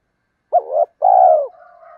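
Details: A single spotted dove phrase, from a recording of male and female birds used to rouse wild males and train decoys: a short throaty rising note, then a long smooth hollow coo trailing into a faint hum.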